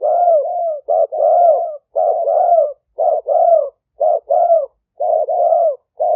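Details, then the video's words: Spotted dove of a fierce decoy strain, 'lio tan' style, recorded live in Roi Et, Thailand, on a smartphone to lure wild doves; rapid run of short and longer hoarse coos, roughly one per second, with brief gaps. "เสียงต่อนก หลิ่วตันสายพันธุ์ดุ #8 นกป่าเรียกกุกเข้าเร็ว เสียงนกเขาใหญ่ป่าเต็ม100"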